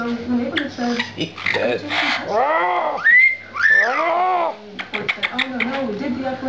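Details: Pet lilac-crowned amazon with its owners makes arching, harmonic chortles and a loud, drawn-out wavering whistle in the middle. Speech and laughter surround the bird's sounds indoors.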